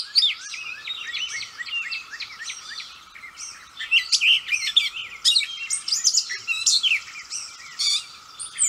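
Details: Gray catbird singing heartily at close range: a long, rambling jumble of squeaky, scratchy and whistled phrases, each different and tumbling out without pause, over a faint steady hum.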